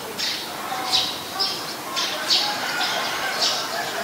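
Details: Eurasian tree sparrow in Ubon Ratchathani, Thailand, on 10 May 2020, giving short, bright chirps about twice a second, with a steady hiss of background noise.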